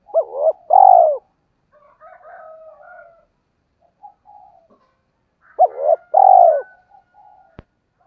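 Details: Decoy spotted dove in the 'giọng thổ' voice style, cooing to lure wild doves: a short double note, then a long rolling coo, a quiet warbling pause, and the same phrase again.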